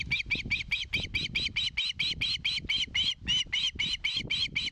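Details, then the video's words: Osprey at its nest in Satakunta, Finland, 2022, filmed by live nest camera, asking for fish: a continuous run of shrill, high, squealing notes about four per second, over steady low rumbling background noise. "GIVE ME FISH."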